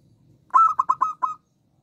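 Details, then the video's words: Local zebra dove singing actively with a small voice: a burst of five clear, fairly loud cooing notes in quick succession, each with a short trailing tail, then silence. "Perkutut lokal gacor suara kecil"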